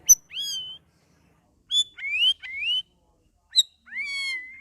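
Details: Captive cucak rawis (straw-headed bulbul), kept among grouped cages and singing vigorously by its second week: short rich slurred whistles, some rising and some level, given in separate bursts with quiet gaps and a sharp high note before each.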